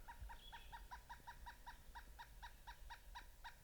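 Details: Wild pileated woodpecker, a mother with her two juveniles, on an overcast day: a fast, even run of hollow, clucking wuk notes, about eighteen in under four seconds, with faint low rumble beneath.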